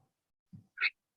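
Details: A sanctuary cockatoo, noisy and screaming that day, gives one short, harsh, raspy screech after a soft low murmur.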